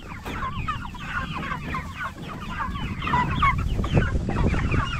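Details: Jumbo Cornish Cross broilers, 44 days old, raised for meat; many birds trilling and chirping rapidly in overlapping bursts, growing louder toward the end, over low rumbling noise.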